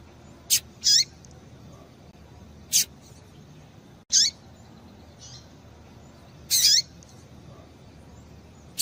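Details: Female Double-collared seedeater calls, used to stir a male into singing: short, sharp, high chips about every two seconds, some in quick pairs, over a faint steady background hiss.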